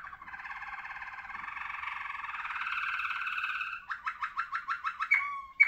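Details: Ringed Malinois Waterslager singing canary: a long rolling trill warbling steadily for nearly four seconds, then a series of quick dropping water-like notes and a final clear whistle.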